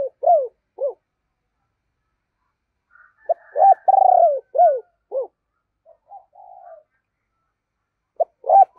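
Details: Spotted dove kept as a decoy, calling and urging in a deep, booming voice to draw wild doves. Short arched hoots repeat around a long, vibrating coo, with soft murmured phrases between loud bursts.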